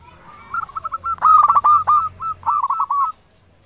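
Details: Local zebra dove singing a lure song meant to provoke rivals into answering: a run of short, hooked, mid-pitched cooing notes, the louder middle ones with a hard buzzy edge, delivered rapidly over about three seconds.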